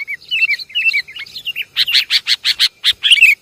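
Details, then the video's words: Sooty-headed bulbul lure call, Javanese type: bubbly, wavering whistled notes at first, then a fast run of harsh, scratchy chattering bursts about every quarter second. "Suara pikat burung kutilang paling banyak di cari"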